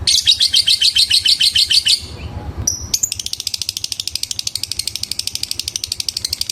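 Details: Lovebird ngekek, a long trill said to call a rival. Loud, dense, high chatter opens, breaks off for about a second of low background noise, then a fainter, rapid pulsing trill continues.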